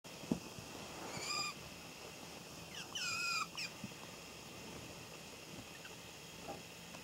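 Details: Pet Java sparrow calling "kyuu kyuu" while nesting, a call it sometimes gives when a hand comes near, recorded 3 November 2014 with volume tripled; two bursts of squeaky, rising, harmonic-rich notes amid quiet room noise.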